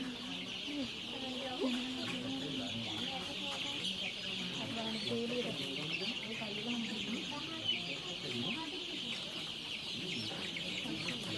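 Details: Crowd of chicks at a Sri Lankan poultry farm near Kurunegala, giving scattered short wavering peeps and soft clucks against a steady hiss of farm machinery.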